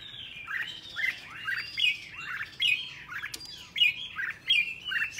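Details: A red-whiskered bulbul, in a clip meant to train bulbuls to sing, sings a lively run of bright, slurred whistled notes, each dipping and rising, in quick bursts about every second, with a faint hum beneath.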